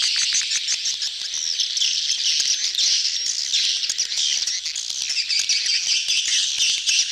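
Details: A mass of swiftlets in mating gathering, betompok style: continuous shrill twittering from many birds, dense and even throughout.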